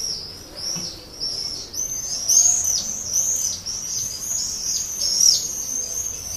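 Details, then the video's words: Swift in a terracotta nest pot under a terrace awning in Leuven, 7 May 2016, calling for a partner: rapid run of piercing buzzy screams, steady and loud throughout. "Gierzwaluw lokt partner in bruine terracottapot"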